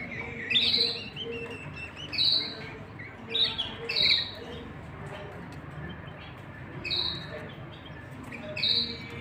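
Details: Caged canaries, a male and female with chicks being fed in the nest: short high chirps given in small clusters every second or two, separated by quiet gaps, over a faint low hum.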